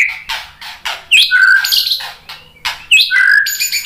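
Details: White-rumped shama, used to provoke fighting males into singing back, giving loud varied phrases: rich whistled notes, slurred rising and falling whistles and harsh chattering bursts, a few seconds of continuous, energetic song.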